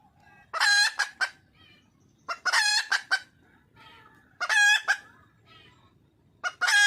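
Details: Wild red junglefowl hen calling out for a male, giving loud, harsh, broadband squawks in short clusters of two or three notes, repeated about every two seconds, with softer clucks in between.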